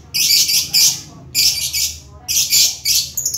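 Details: Three loud bursts of raspy, high-pitched lovebird chatter, each about a second long and separated by short lulls, with a thin chirp closing the sequence.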